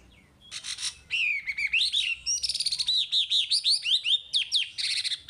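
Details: A hwamei singing energetically as a training prompt for caged birds: a harsh burst, then a long, varied flow of warbled whistles and rapid repeated notes with changing pitch.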